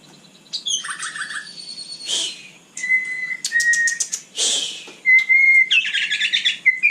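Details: White-rumped shama singing at night, mixing rapid clicking bursts and buzzy rattles with flat whistled notes, delivered in uneven, varied phrases.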